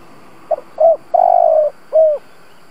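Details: Cooing of a lure spotted dove meant to stir up other doves: two soft pips, a rounded hoot, a long low vibrating coo, then a clear falling coo, with light background noise.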